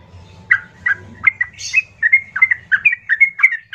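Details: Yellow-vented bulbul (trucukan) singing rough, loud song to provoke other bulbuls; a run of clear, evenly spaced whistled-bubbly notes, roughly three per second, with faint low hum early on.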